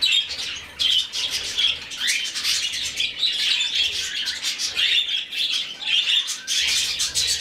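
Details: Rescued budgerigar chick begging while being hand-fed: dense, raspy, high chirps pour out almost without pause, swelling and fading in bursts, with faint low handling noises beneath.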